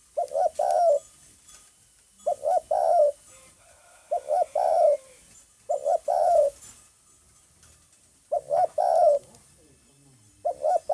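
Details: Spotted dove, recorded 9 May 2020, cooing steadily: soft low hollow phrases, each a couple of quick notes leading into a longer descending coo, repeated about every two seconds.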